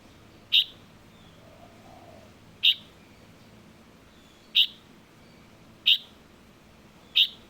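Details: Five sharp high-pitched notes from a juvenile Light-vented bulbul, repeated every one and a half to two seconds, plus a faint low murmur near the start over steady hiss.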